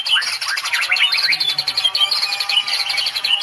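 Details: Medan white-rumped shama giving a high, rapid stream of sweeping whistles and fast chirps in cililin-filled 'tembakan' style, steady and unbroken.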